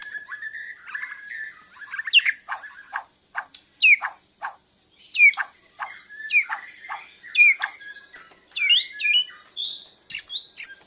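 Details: Bornean white-rumped shama learning to sing, answering a lure recording with fluffed breast feathers; varied whistled phrases broken by sharp clicks and chattering bursts, separated by short silences.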